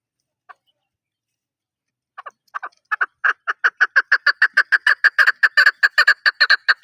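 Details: Chukar partridge starting with a few hesitant clucks, then accelerating into a steady fast series of loud chuk notes that grow louder and continue to the end.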